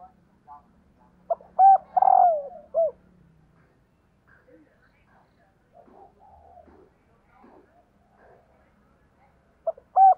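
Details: Female spotted dove call meant to excite males. Early on comes a loud phrase of clipped notes, a trembling coo and a falling end note. Quiet murmurs follow, then the next phrase starts at the close.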